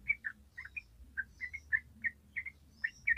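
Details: Yellow-vented bulbul in a long rapid 'gacor ropel' song style: quick bubbly chirped notes, some doubled, repeated steadily over low background hum.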